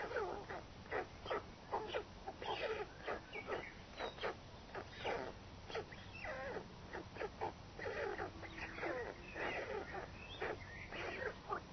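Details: Adult white stork arriving at the nest with food, clattering its bill: bursts of dry, rapid, rattling clicks repeated throughout, with short noisy pulses and a faint background hum.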